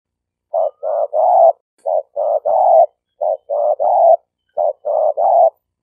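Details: Spotted dove lure call used to attract and train birds: four quick phrases, each a short coo followed by two longer burry coos, repeated every one and a half seconds.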